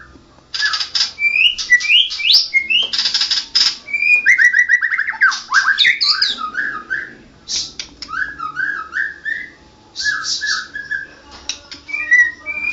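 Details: National champion white-rumped shama singing in ngerol gacor style, a loud continuous rolling delivery: rich varied whistled phrases, rising and falling slurs, rapid chattering runs and brief pauses, with short breaks between bursts.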